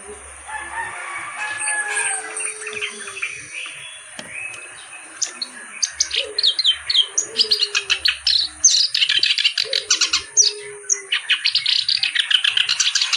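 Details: Clamorous reed warbler singing energetically. The song opens with quieter scratchy phrases over low cooing, then turns into a long, rapid, loud run of grating, chattering notes repeated many times a second.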